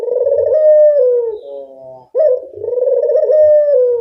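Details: Local puter dove lure call: a long quavering coo fading into a soft tail, then a second rolling coo opening with a short clipped note, loud and close.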